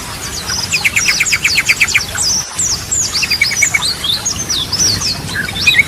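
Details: Yellow-vented bulbul singing, used to reawaken stalled birds' song. A rapid series of stacked clicking notes is followed by twisting high whistles and scattered chips.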